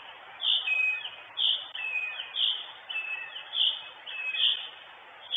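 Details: Northern goshawk mom at the nest in Estonia, live camera, 23 June 2022; a quick series of about seven shrill notes, some doubled with a lower trailing tone, over a hissing background.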